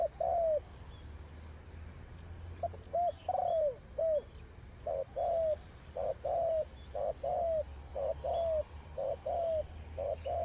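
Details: Spotted dove kept as a decoy bird for trapping, giving steady paired cooing phrases, a short note then a longer falling coo, repeated about every second; low rumbling hum beneath.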